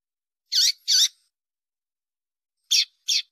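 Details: Female double-collared seedeater giving contact calls, used by breeders to stimulate males to sing before contests: two sharp, high chirps close together, a pause of about 1.5 seconds, then two more chirps. The background is silent.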